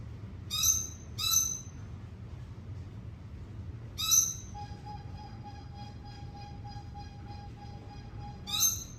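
Red lory giving harsh, shrill screeches in short bursts, four across nine seconds, with a steady thin electronic-sounding tone in the background.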